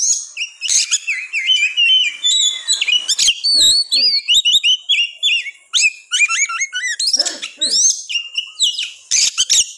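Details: Oriental magpie-robin in fierce, nonstop singing, aimed at rousing birds that will not sing: long chains of rapid varied whistles and slurred notes with scratchy bursts between, running almost without pause.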